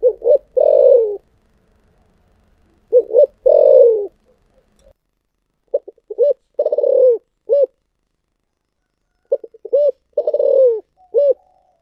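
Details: Spotted dove cooing in the thổ sấm voice style, with thúc gù phrasing: four phrases about every three seconds, each a few short low notes, a long throbbing rolling coo that slides down, then a final clipped coo; quiet background.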